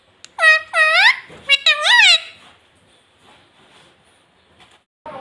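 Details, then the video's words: Pet parrot, apparently a ring-necked parrot, talking indoors, saying "mummy" and "papa": several loud, rising-then-falling nasal syllables in quick succession, then near silence with faint rustling and a brief squawk at the end. "मम्मी - पापा बोलने वाला तोता"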